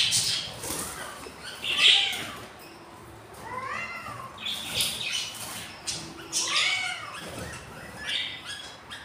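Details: Four-day-old budgerigar chicks in a breeding box, three hatched from eight eggs, hungry; thin arching peeps, each with layered overtones, come in irregular clusters between scratchy hissing squawks.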